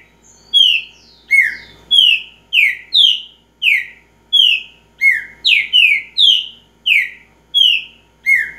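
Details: Green-winged saltator singing in the repeating (repetidor) style: a steady series of loud, clear whistled notes, each sliding downward, given roughly every half second with some notes doubled closely together, over a quiet background.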